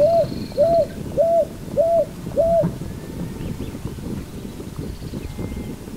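A Picui Ground Dove gives five soft, arched, mid-pitched coos, one about every 0.6 seconds, over a steady low rumble of background noise.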